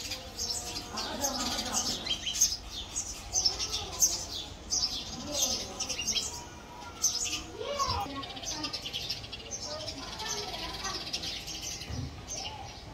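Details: House sparrows nesting in a house, squabbling over the nest site: a long run of rapid, high, irregular chirps and tweets over a low background murmur.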